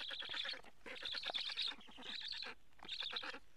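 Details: Black stork at a nest in Karula, Estonia, from a live nest camera on 8 July 2017 at 14:08, as a parent brings many frogs: rapid, raspy, pulsed calls in three bursts of about half a second to a second.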